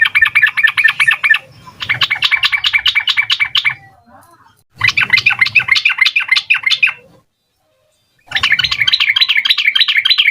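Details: Rapid-fire full song of a sooty-headed bulbul, used to prompt young bulbuls to answer; bursts of fast repeated chattering notes with a long silent gap before the final run.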